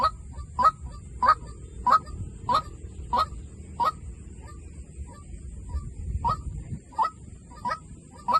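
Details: Decoy recording of a white-breasted waterhen giving hoarse, honking single notes at a quick, regular pace, each followed by a softer echo-like note, over a steady high hiss.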